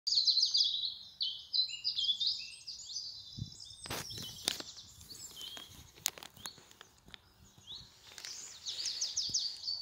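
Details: Songbirds singing in spring in England: high, rapid twittering phrases, fast trills and chirps, fading in the middle and returning at the end, with a few sharp clicks and faint background hiss.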